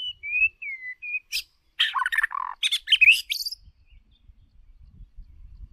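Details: White-rumped shama lure bird: a few pure whistled notes followed by a burst of harsh, buzzy chattering and squeaky phrases, then quiet with faint low background noise.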